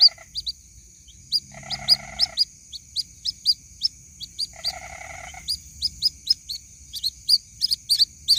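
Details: White-breasted waterhen chick calling its mother: sharp, high, downslurred peeps in quick irregular series, joined twice by a lower, buzzy, rapidly pulsed rattle lasting about a second, over a steady thin electronic whine.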